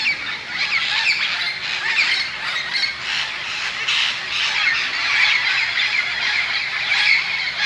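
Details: Tens upon tens of parrots crowding into tall bamboo at dusk in Moka, Trinidad and Tobago, readying to roost: loud, grating squawks overlap into a steady roar with occasional sharper peaks.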